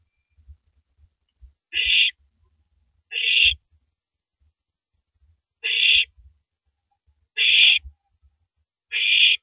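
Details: Owl feeding on a large rabbit at 3:33 AM, 9 April 2012, utters five harsh, noisy screeches at uneven intervals of about one to two seconds, with low knocks and rustles from the feeding.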